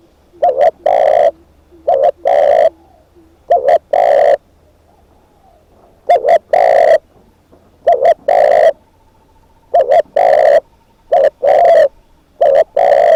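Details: Decoy spotted dove calling steadily: eight loud phrases, each a quick two-note coo and then one drawn-out full coo, with short silent gaps between them and a faint low hum underneath.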